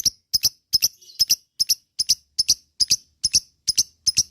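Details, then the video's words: Lovebird ngekek song, used to prompt other lovebirds to sing: crisp paired high chips repeated in a steady rhythm about two or three times a second, each pair sharp and clicking, with quiet gaps between. "LOVEBIRD KICAU ngekek Panjang"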